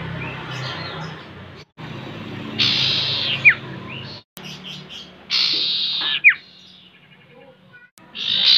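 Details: Common iora lure recording meant to set a bird singing loudly: bursts of hissing, buzzy chatter broken by sharp, steeply falling whistled notes about every three seconds, over a low steady hum with brief silent gaps.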